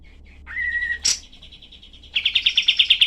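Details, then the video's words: Harsh 'tembakan' song of the cream-vented bulbul, called kapas tembak, recorded as tutor material for songbirds: a level whistle, a sharp noisy burst, a faint trill, then about nine loud rapid chips. "masteran kapas tembak"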